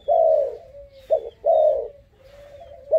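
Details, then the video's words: A bold five-month-old dove gives two drawn-out hollow coos each trailing into a soft level hum, separated by a short clipped note, all low and gentle, with a faint thin whistle overhead. "កូនលលកទើបឡើងអាយុ 5ខែហ៊ានខ្លាំង"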